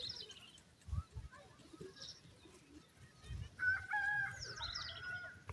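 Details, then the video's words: Francolin (jangly teetar), male and female birds, calling: a harsh, ringing phrase with several stacked tones late in the clip, preceded by scattered faint chirps and low thumps. "Jangly Teetar bird Nar or Madah Ki Masty Check Kro,teter awaz"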